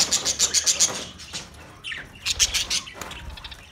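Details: Budgerigars kept in a master cage on 9 March 2024: quick sharp chirps repeated about four times a second, a brief pause, then another rapid chirping burst, with faint rustling.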